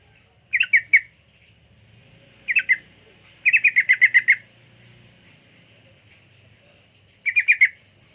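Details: Yellow-vented bulbul song in short bubbly bursts of three to eight quick, liquid chirps, spaced by pauses of one to three seconds, over a quiet background.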